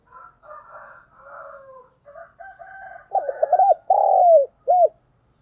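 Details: Decoy spotted dove cooing to lure wild doves: fainter, softer coos from other doves first, then a loud, low hooting phrase of quick stuttered notes, one long drawn coo and a short closing note.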